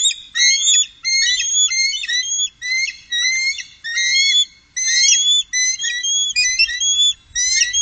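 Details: Three bald eagles on the Upper Mississippi in 2018 give continuous high chittering calls: bursts of rapid piping, slightly rising whistled notes, repeated with short gaps throughout, and hardly any background noise.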